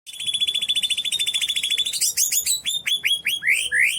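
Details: White-rumped shama, a 12-month-old Medan-type bird measuring 27 cm, singing: a rapid run of even high notes repeated about ten times a second, then a series of loud rising slurred whistles.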